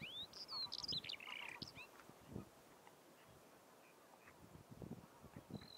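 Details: One of two Eurasian skylarks landed beside a road in Biesbosch meadows, Netherlands, in spring, sings on the ground: a quick burst of high, liquid chirps and twittering, then scattered notes, over an idling diesel engine's rumble.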